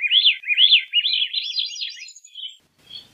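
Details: A Veery gives its song, a fluid chain of swirling, looping whistles repeated about twice a second, fading into a softer trailing note and a faint final call.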